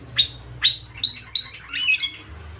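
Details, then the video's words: Loud oriental magpie-robin song, a full repertoire that provokes rival birds into singing and spreading their tails: four sharp, clear whistled notes spaced about half a second apart, ending in a rich, buzzy warbled phrase. "Kacer ngeplay full materi mewah suara keras bikin lawan ikut gacor dan buka ekor"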